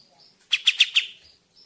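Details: Kapas tembak bird, recorded for luring in the forest: four quick, high, bright chirps in a short burst over a quiet background.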